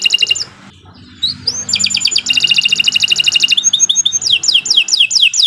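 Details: Canary singing as a lure for training birds: a short trill, a quiet pause, then rapid metallic rattling trills that shift into quicker bouncing whistled notes, over faint low hum.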